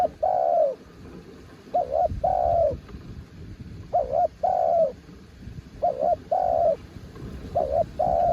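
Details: Spotted dove, a mountain bird, cooing in quick succession: paired short coos then a longer, drooping note, repeated roughly every two seconds across several phrases over a low background hum.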